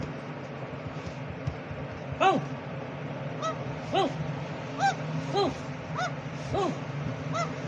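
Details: A talking pet green parrot, likely a ringneck, gives short, nasal, honking squawks that rise and fall, about eight in six seconds, over a steady low hum.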